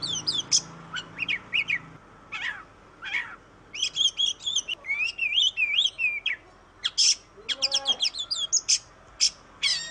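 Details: Oriental magpie-robin, known in Indonesia as kacer, singing a varied, melodious song of sharp whistled notes, rapid trills and rising and falling phrases in quick bursts, with a few brief lower slurred notes near the end.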